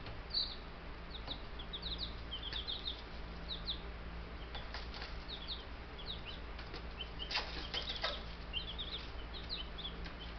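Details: Ten Buff Brahma chicks, picked up as babies days earlier, peep in scattered high chirps across the scene, joined by scratching, clicks and brief fluttering noises over a persistent low hum.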